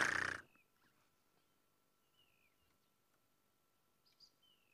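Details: White-browed scrub robin giving his morning call on a bush reserve: thin, high, downslurred whistles a second or two apart, mimicking a long-billed crombec and possibly a drongo; a sharp knock opens the clip.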